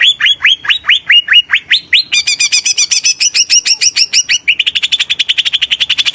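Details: Greater green leafbird delivering a varied song: upswept whistled notes roughly every quarter second, then quicker forked chips, finishing in a fast, even trill-like string of notes.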